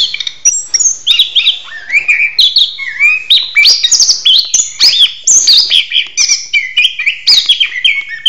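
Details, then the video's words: Orange-headed thrush singing loudly during a mating ritual: a rich, varied stream of sweet whistles, slurred notes and chattery phrases, shifting pitch constantly with scarcely a pause. "Ritual Kawin Anis Kembang - Volume Kencang Gacor"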